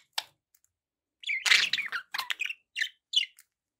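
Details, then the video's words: Budgerigars chirping indoors: a lone sharp chip, then a rush of rasping, buzzy chatter followed by several short, clipped chirps spaced a fraction of a second apart. "budgie sounds with background noise for relaxation"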